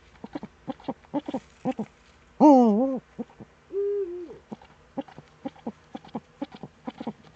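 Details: Eurasian eagle-owl heard in the Eifel, Germany, on a September 2013 morning: runs of short low pulses frame a loud, harsh, wavering cry and a softer drawn-out mid tone.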